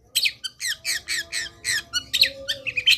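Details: Long-tailed shrike singing actively in a varied training song: harsh, raspy, grating notes repeated roughly every quarter second, with a faint steady hum underneath.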